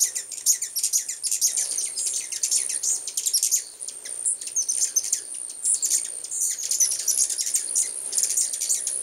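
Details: Numerous hummingbirds visiting a new home in full force during 2010 keep up a nonstop, high twittering chatter of tiny squeaks and clicks, rising and falling in intensity throughout.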